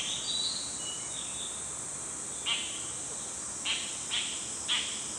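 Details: Dollarbird (Eurystomus orientalis) in beech forest gives four short, harsh, rasping notes at uneven intervals over a steady high insect hiss, with faint thin whistles early on.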